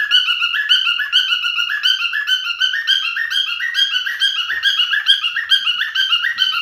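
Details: Pet male cockatiel in full song, steady warbling whistles repeated in rapid, looping phrases of stepped up-and-down notes, loud and unbroken throughout.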